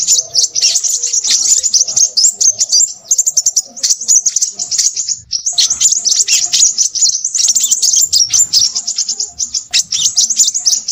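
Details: Restless crimson sunbird giving long runs of shrill, rapid twittering broken by short pauses every couple of seconds, steady high-pitched chatter throughout.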